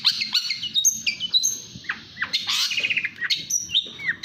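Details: National champion long-tailed shrike giving fast 'speed' song: high, thin whistles and quick downslurred chirps mixed with buzzy bursts, delivered in a dense, restless stream over faint low background rumble.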